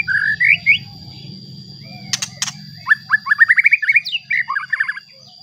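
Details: White-rumped shama song used as a provocation for other shamas: brief rising whistles, two sharp clicks, then a fast train of a dozen upslurred notes climbing in pitch before chattering off, with low rumble early on.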